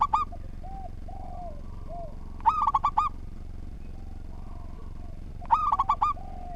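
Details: Repeated staccato coo phrases from an actively singing local zebra dove, roughly every three seconds, each a tight cluster of bright notes, with quieter slurred coos in between and low rumble throughout.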